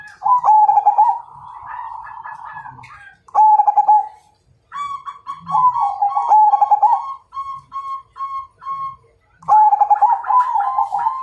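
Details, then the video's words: Majapahit perkutut singing a fighting challenge: repeated rolling, purring coos in phrases of one to two seconds, some ending in clearer steady tones, separated by short silences. "Suara Perkutut MAJAPAHIT Ngajak Tarung"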